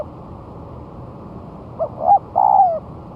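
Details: Spotted dove, one month after its moult, set on the ground as a lure: a single phrase of two short rising notes followed by a drawn-out coo sliding down in pitch, then quiet with faint low hum.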